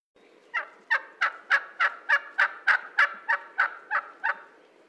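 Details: A wild turkey in North America gobbles in a rapid rolling burst of about a dozen throaty pulses, roughly three per second, against a quiet background; Turkey.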